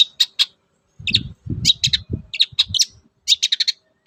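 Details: Captive long-tailed shrike song meant to provoke silent birds into singing: sharp high clicking notes, singly and in quick clusters, over dull low knocks.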